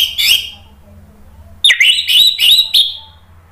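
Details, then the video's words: Orange-headed thrush song used to provoke other birds to answer: a short whistled phrase, a pause, then a run of loud, varied whistled notes with quick slurs, over a low steady hum. "SUARA ANIS MERAH bikin EMOSI jadi NRATAK NYAUT NGEPLONG ¦ PANCINGAN AM"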